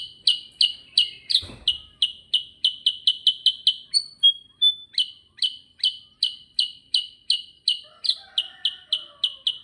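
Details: Sooty-headed bulbul, gacor ngerol rolling song: a long, unbroken chain of crisp chirps around three per second, pausing once for two short thin whistles before resuming the rapid run, with a faint low thump early on.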